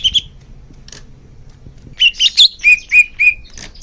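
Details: Greater green leafbird song, used to encourage caged birds to sing more. Faint chips open the clip, then a sudden burst of sharp high notes and three clear falling whistled slurs.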